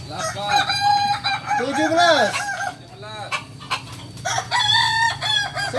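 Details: Kukuak Balenggek rooster crowing at a Sunday practice contest in Ampangkualo: loud multi-syllable crows with stepped, wavering harmonic notes and arched ends, repeated twice with a brief pause, amid chatter and clapping.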